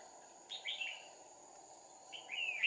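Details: Red-whiskered bulbul fighting song from a decoy during trapping, two decoys used, recorded 2 April 2019: two brief slurred whistled phrases, fairly faint, separated by over a second, with constant insect drone behind.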